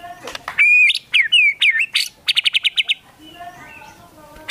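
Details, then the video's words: A White-rumped shama sings in full voice, its song filled with mimicked Sooty-headed Bulbul phrases: clear whistled slurs, then a rapid run of sharp repeated notes, ending in softer warbling. "MURAI BATU GACOR FULL ISIAN TEMBAKAN KAPAS TEMBAK DLL"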